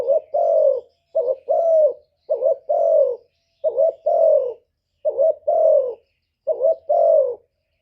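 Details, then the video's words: Decoy spotted dove giving a lure call meant to draw and provoke wild males: six low two-part coos, a short hooted note followed by a longer falling coo, repeated about every 1.2 seconds in a quiet setting. "CU gáy Mồi Cực hay hạp bổi thúc gù bổi ghét, tiếng chim cu cườm, cu đất"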